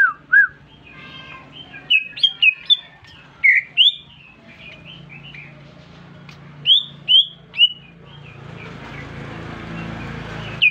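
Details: Newly bought caged greater green leafbird bursting into chattering song when whistled at: sharp, high slurred chirps and whistled notes in scattered clusters, some rising, others dropping, with quiet pauses and a low background hum.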